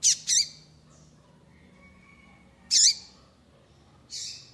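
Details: Calls of a female double-collared seedeater, given to excite a male into singing: two quick harsh chirps close together, a long pause, then two more rasping notes spaced over a few seconds, with a faint thin whistle in between.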